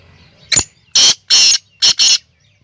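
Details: Black francolin (Francolinus francolinus), Pakistani kala teetar calling: a sharp opening click, then four loud, harsh, grating notes in two quick pairs.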